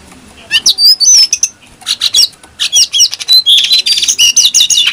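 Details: Brown-throated sunbird in clear, energetic song used as a lure for training birds: rapid high chirps and thin whistled notes tumbling together, with a dense burst of fast trills toward the end.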